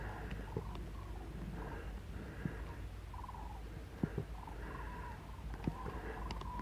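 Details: Common crane (Grus grus): a late flock flying north over Pinto and Getafe, Parque Natural del Sureste, on an afternoon of 21 February, gives distant rolling, trumpeting flight calls in overlapping bursts over a low rumble of wind or traffic and a few sharp knocks.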